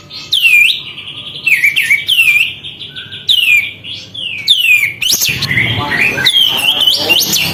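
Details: Energetic sooty-headed bulbul, tail spread, singing to rouse other birds: repeated falling whistled phrases about one second apart, followed by a busier run of warbled notes with faint rustling.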